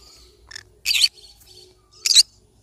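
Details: Two rough, loud screeches from a yellow-sided conure parrot, preceded by a shorter squeak, over murmuring chatter and low background noise.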